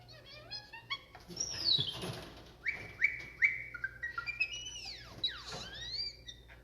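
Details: A captive blue jay perched with its keeper at a Connecticut nature center gives a varied run of squeaky, whistled notes, some sliding downward, with clicks and short rising chirps over about six seconds.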